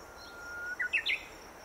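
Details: Japanese bush warbler, recorded with a Canon EOS 60D and a telephoto lens. The song is a long, faint, level whistle followed by three quick, loud, rising and falling flourish notes in a quiet outdoor setting.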